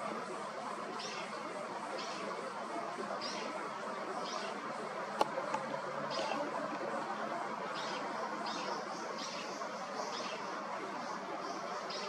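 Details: A fledgling brown-eared bulbul just out of the nest gives short, high, hissy calls, repeated roughly once a second, over a steady wash of background noise.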